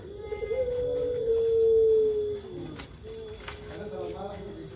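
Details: Turtle dove (puter pelung) giving a loud, pure, long-held coo lasting over a second, followed by quieter, shorter low coo notes.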